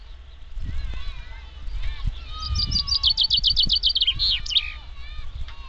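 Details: Common chaffinch (Fringilla coelebs), song.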